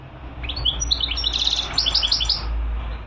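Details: European goldfinch delivering a steady series of high, clear chirps and twitters, rhythmically repeated, against a noticeable background hiss and low rumble.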